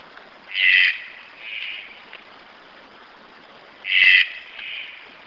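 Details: Red-breasted toucan giving two paired calls: a loud, harsh croak followed by a softer, shorter echo-like note, the pair repeated after about three seconds.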